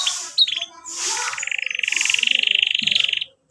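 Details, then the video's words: Canary song meant to teach young canaries: softer, slightly muffled notes, then a steady rapid buzzy trill held for about two seconds before stopping. "KENARI GACOR cuit cuit NEMBAK PANJANG, pancingann kenari paud belajar bunyi"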